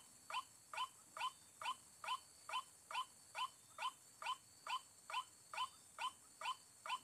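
A White-breasted Waterhen gives a steady series of harsh, croaking notes, about two each second, evenly spaced and unvarying, over a faint background hiss.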